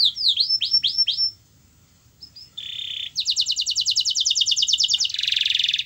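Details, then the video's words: Domestic canary song used to prompt a canary reluctant to sing: a few quick downslurred whistles, a short pause, then a fast even trill of clipped notes and a harsh buzzy roll at the end. "Kenari Anda MALAS BUNYI, Coba Putar Video Ini !!!"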